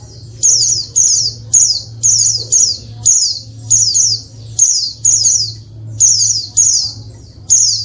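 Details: Female pleci, Oriental white-eye, whose calls are meant to get lazy males singing quickly as in the wild: high, sharply falling chirps in short bursts, about forty per minute, over a constant low hum.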